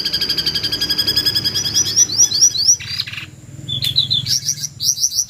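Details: Jongkangan screech used to train white-rumped shamas: a fast run of high, sharp, upslurred notes at about four per second, broken briefly by a harsh noisy burst, then more shrill rising notes.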